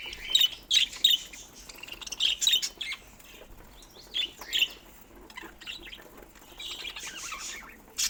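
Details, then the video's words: Pet budgerigars giving sharp chirps in quick bursts, with quieter warbling between and near the end. "Relax With These Soft Budgie Chirping Sounds"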